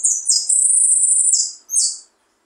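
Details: A finch (jilguero) sings a high, bright, buzzy run of rapid notes, held in one long sweep and then ending with a short burst.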